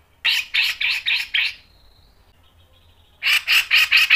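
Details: Grey-cheeked bulbul giving sharp rasping bursts for a training lure: two runs of harsh, evenly spaced notes, about five per run and slower than a chatter, with a faint high whistle between them.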